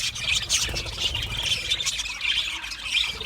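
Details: Australian budgerigars singing and chirping when content: a short burst of bright squawks and fast, grating chatter, evenly loud throughout.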